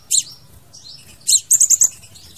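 Crimson sunbird song: very high, thin, sharp notes, two isolated chips and then a quick run of four bright notes, over faint low background hum.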